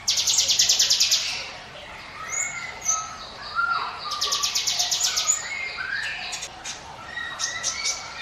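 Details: Mountain prinia song, meant as a lure for other birds: a burst of rapid, regularly repeated high buzzy notes opens, then scattered whistled slurs, short rising and falling notes, and sharp chips follow, with other bird calls overlapping.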